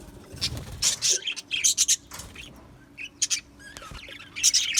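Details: Caged Australian budgerigars utter short separate bursts of high, scratchy chirps and squeaks with quiet gaps between them, plus a faint low rustle near the start.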